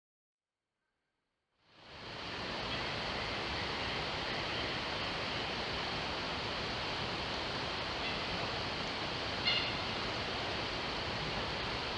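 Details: After a second and a half of silence, a steady broadband rush like rushing water or wind fills the rest, with no animal voice standing out.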